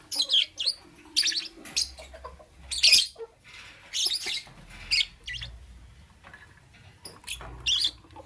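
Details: Lovebird calling in the morning with loud, grating chirps in bursts about a second apart, separated by softer twittering and brief quiet gaps.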